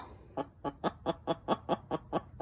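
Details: Hen calling after laying an egg, loud and proud: a run of short, evenly spaced clucks, about five per second, each a brief harsh pulse, over a quiet room.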